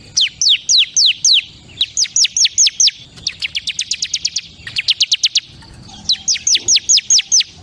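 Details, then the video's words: Bar-winged prinia, known locally as ciblek kristal, repeating crisp, high, downward-sweeping chips in tight trains of four to eight notes, pausing briefly between trains; clean, quiet background. "SUARA CIBLEK KRISTAL PALING GACOR"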